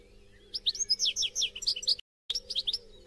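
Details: European goldfinch song to encourage captive goldfinches to sing: after a quiet half second, a lively run of tinkling, slurred chirps for about 1.5 seconds, a sudden brief dropout, then more twittering, with a low background hum.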